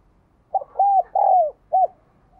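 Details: Spotted dove coo phrase in full: a brief stuttered opening, two smooth arched coos with the second longer and falling, and a short closing coo.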